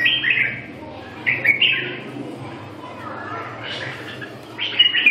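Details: Warbled, fluty phrases from a red-whiskered bulbul at the start, middle and end, with quieter gaps between them and a low steady hum underneath.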